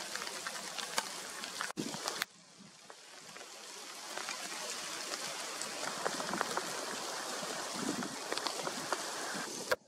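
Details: Rain patters steadily on surfaces, with brief sharp bumps and no animal calls.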